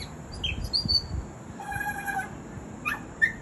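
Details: ['Mimicking butcherbird giving scattered clear whistles of varied pitch: quick high notes, a sustained lower whistle, then sharp brief notes near the end, against faint low rumble.']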